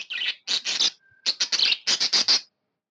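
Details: Happy pet budgerigar chirping: a pair of raspy bursts, a brief pause with one faint thin tone, then a fast string of about eight scratchy, buzzy chirps in quick succession.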